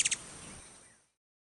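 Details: Ruby-throated hummingbird in Wisconsin giving two quick, very high, dry chip notes in tight succession at the start, then only faint background hiss fading to silence.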